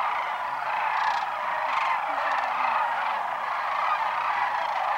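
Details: A wintering flock of sandhill cranes at Whitewater Draw in southeastern Arizona, January 1, 2012, gathering around noon; many distant rolling calls merge into an even, unbroken murmur.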